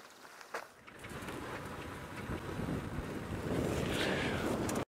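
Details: Steady wind buffeting and a rushing, boat-like roar that builds toward the end, with no animal calls.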